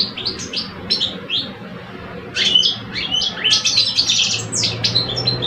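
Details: Two caged male European goldfinches, a mature bird and a two-year-old, in a singing contest. Rapid high twittering phrases, then a louder, denser tumble of tinkling and buzzy notes after about two seconds, over low room hum.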